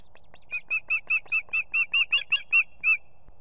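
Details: Female osprey at a nest with two chicks in Estonia, 18 July 2016, calling the male to bring food: a rapid run of about twelve sharp, whistled chirps, each a short upward-kinked note, roughly four to five per second.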